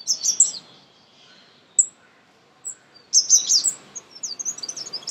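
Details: Sunbird, a common Indian bird, singing in a garden: two bursts of very high, sharp twittering notes separated by a near-silent gap with a few isolated high chips.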